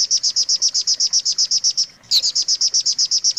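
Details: Long-tailed shrike training song: evenly spaced, sharp high chips about four a second, interrupted once by a short pause.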